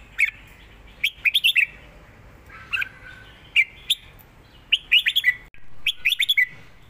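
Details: Red-whiskered bulbul singing and chattering in the southern Thai song pattern meant to teach young birds: bright warbled phrases of three to five quick notes, repeated about every second, with a lower burry note between.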